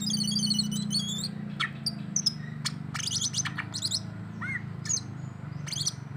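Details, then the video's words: Greater green leafbird singing in the 'jamtrok' style, meant to provoke a rival: a rapid wavering series of high whistles, then sharp downslurred chirps and short slurred phrases scattered over a steady low hum. "ijo Ondo Rante bikin emosi lawan karakter jamtrok"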